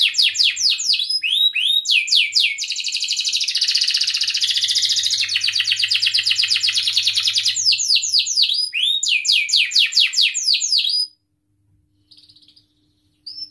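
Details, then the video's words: Canary singing long and continuously, used as a lure to prompt other canaries, young ones learning sounds or stalled singers, to sing: rapid high downward-sweeping chirps, then a dense buzzy trill for about five seconds, more sweeping notes, then silence near the end. "kenari gacor panjang Cuit Cuit EMOSI, Pancingan Kenari Paud Belajar Bunyi, terapi AMPUH Kenari MACET"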